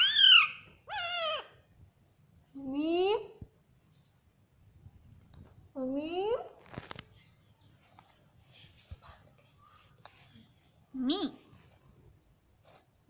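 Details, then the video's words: Pet parrot talking, saying "mummy" repeatedly: several loud, harmonic calls sweeping up and down, in bursts every few seconds, with faint clicks and soft rustling between. "Mummy Papa Bolne Wala Tota || Talking Parrot"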